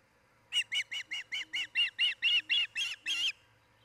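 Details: Osprey calling at its nest in Charlo, Montana, where a pair is raising a family, recorded 10 July 2018: a run of about twelve rapid, high, shrill cheeping whistles, growing slightly harsher toward the end, over a faint steady hum.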